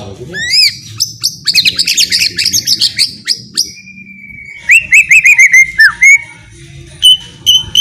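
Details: White-rumped shama (murai batu) singing as a lure for a chattering bird: a rising whistle, a dense chattering trill, a long level whistle, then quick warbled notes and spaced high chips.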